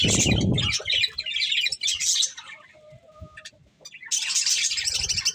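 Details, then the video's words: Budgerigars at a corn meal give bursts of scratchy chattering chirps. A quieter stretch in the middle carries a faint thin whistle, then loud chatter resumes. "Cute Budgies Enjoying Eating Corn | Love Birds Chirping Sounds"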